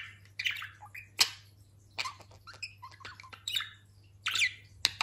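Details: Indoor pet budgerigar known for talking, just through a moult, giving softer, scattered chirps and scratchy warbles with short pauses, punctuated by a few sharp clicks over a steady low hum.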